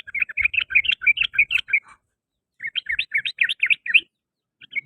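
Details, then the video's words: Sooty-headed bulbul chirping in the afternoon: two quick bursts of sharp, warbled notes about two seconds long, separated by a pause, and a short start of a third. "TRUCUKAN, KICAU DI SORE HARI"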